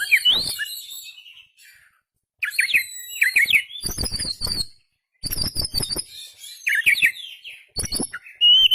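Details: Oriental magpie-robin song for drawing out other birds, tail fanned: loud bursts of rising chirps and high whistles, separated by short silent pauses.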